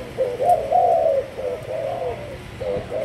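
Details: Malaysian-strain spotted dove utters a quick run of low, slurred coos, then a brief pause and another soft phrase.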